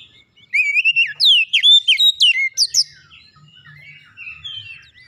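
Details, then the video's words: Oriental magpie-robin song meant to get other birds singing: a rapid run of rich whistled slurs and upward sweeps in the first three seconds, then softer, thinner warbling trailing off. "PANCINGAN KACER langsung latah ikutan gacor"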